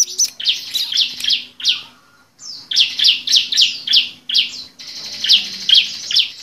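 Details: Lure call of the bar-winged prinia (ciblek), meant to make reluctant birds start singing. Loud, sharp chirps come in bursts with a clear pause midway. A denser, slightly buzzy run of notes closes the sequence.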